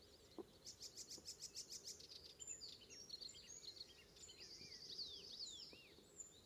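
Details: Icterine warbler singing on the morning of 19 May 2016 north of Hollum on Ameland, Netherlands: a quick, varied, high jumble of squeaky notes, whistles and buzzy rattles, with some repeated phrases, over steady background noise.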